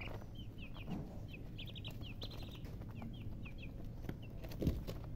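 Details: Baby chickens chirping: high, short down-slurred peeps in quick bursts of two to four, with pauses between groups, over a steady low rumble and a brief thump near the end.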